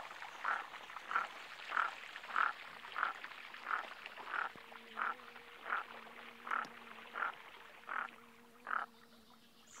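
Common merganser giving short, hoarse croaking notes about every two-thirds of a second in a steady series, with a low mechanical hum joining halfway through.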